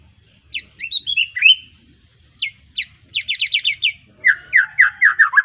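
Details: Young white-rumped shama of the Arko Tangerang line, just after its juvenile moult, from Petarukan, Pemalang. It sings scattered sharp whistles, then a fast burst of about eight high descending notes and a run of buzzy downslurred notes.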